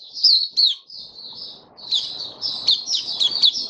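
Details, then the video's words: Caged white-eye, opening song, 23 March 2022, warm humid weather: a few loud, high downslurred chirps, a thin sustained whistle, then a quicker burst of twittering notes over low rumbling noise. "Mata Puteh Kitaro Video 1 buka sing"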